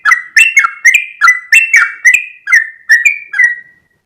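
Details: Rapid whistled song of a sooty-headed bulbul (trucuk) in long 'ropel' style: around a dozen snappy, descending fluty notes in quick succession, spacing out toward the end before the bird falls silent.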